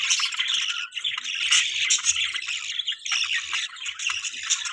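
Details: Budgerigars chirping in the morning while parents feed their chick: a dense, continuous chatter of high twittering and scratchy chirps from several birds, with faint low thumps underneath.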